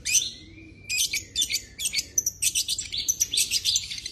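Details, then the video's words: Long-tailed shrike song: a thin sustained whistle, then a fast jumble of scratchy, chattering notes in rapid bursts with some clearer whistled bits mixed in. "cendet gacor full isian"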